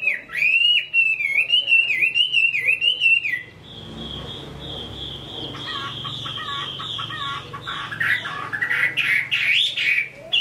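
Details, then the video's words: Good-singing Chinese hwamei in Hai Phong, Vietnam, opening with wavering, looping whistles, then a long steady thin tone, before breaking into rapid chattering notes and more looping whistles. "Họa mi hót tốt"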